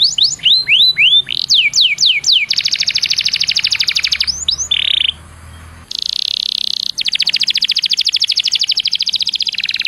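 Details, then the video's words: Lure song of a canary to make others sing: quick falling whistled notes leading into a dense high trill, a short pause, then long rapid rattling rolls. "PANCINGAN KENARI BIAR CEPAT GACOR"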